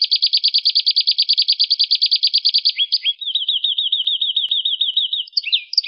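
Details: Domestic canary in vigorous rolling song, used as master song to prompt other songbirds to sing: a fast, even trill of high buzzy notes, then a swooping phrase, a quick wavering trill and sharp chips, with no background noise.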